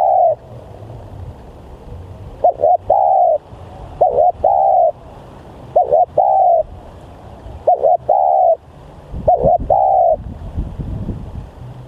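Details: Spotted dove kept as a decoy, called very aggressive and vocal, gives five phrases of a quick two-note stutter leading into a sustained mellow coo, with soft low-pitched background noise.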